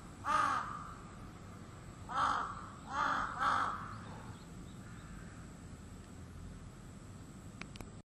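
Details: Crow that starts calling every morning at 4 a.m.; four harsh caws, the last three close together, then quiet with only low background noise and a faint click at the end.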